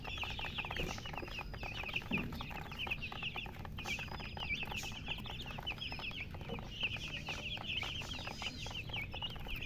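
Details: Young chickens chirping as a group: bright, piercing peeps in ragged clusters, some longer rising whistles standing out, faint low noise behind.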